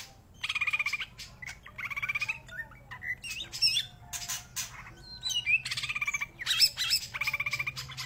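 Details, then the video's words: Lively greater green leafbird song built from repeated harsh, rattling bursts alternating with sharp chips and brief whistled notes, the rattles returning every second or so, over a faint low hum. "Cicak Ijo Gacor Tenan"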